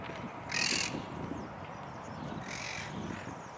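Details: Amid trees in full bloom, a monk parakeet feeding on flowers gives two harsh, grating screeches about two seconds apart over a steady low rumble of background noise.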